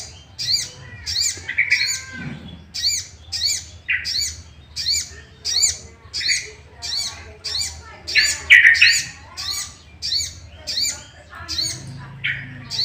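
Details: Sooty-headed bulbul lure sound for provoking rivals to sing: a long, steady series of high, clipped notes, roughly one per second, with occasional lower, richer phrases mixed in.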